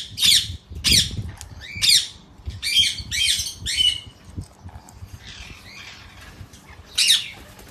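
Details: Indian ringneck parakeet at feeding time during training, giving harsh broadband squawks in bursts, about seven loud calls spread over eight seconds with quieter gaps between.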